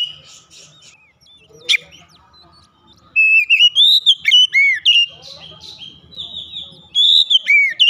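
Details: Oriental magpie-robin singing with its beak opened wide; loud whistled phrases of rising and falling notes mixed with sharp chips, starting after a quiet opening with faint low background murmur.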